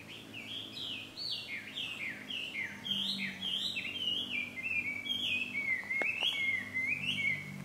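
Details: Chinese hwamei recorded as ambient sound at a nature-contact park in Japan on 5 June 2020: loud, rich whistled phrases of slurred up-and-down notes, repeated in quick succession, with faint background hum.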